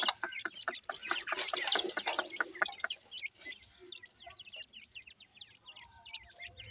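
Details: Grey francolin (teetar) chicks calling: dense bursts of rapid, scratchy clicking chirps for three seconds, then thinner, high, quick chirps repeated about twice a second.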